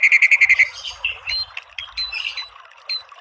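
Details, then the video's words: Training song of a white-rumped shama: a rapid run of about seven identical sharp notes, then softer mixed whistles and chips. "MASTERAN MURAI BATU full TEMBAKAN biar EMOSI NYAUT jadi BUNYI GACOR BONGKAR ISIAN"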